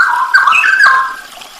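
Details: A short burst of Straw-headed bulbul masteran song, the full 'isian nembak' style: a loud, liquid, whistled warble with a quick upward flourish, then fading into a smeared, echoing tail.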